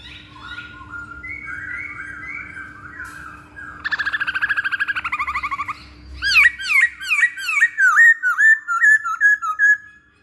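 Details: Masked laughingthrush lure song: wavering whistled phrases, then rapid buzzy repeated notes, then a long series of sharp rising whistled notes, about two and a half per second, over a low hum.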